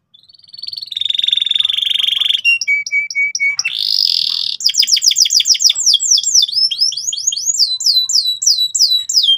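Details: Loud, insistent gacor canary song aimed at teaching young canaries the ngeriwik sound: a long buzzy trill, short clipped whistled notes, another harsh buzz, then fast repeated downslurred whistles for the final five seconds.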